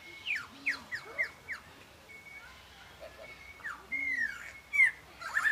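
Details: Superb lyrebird during its mating dance at Healesville Sanctuary, Victoria, pouring out a varied run of loud, sharply falling whistles and swooping notes over a thin steady whistle, with soft chatter in the background.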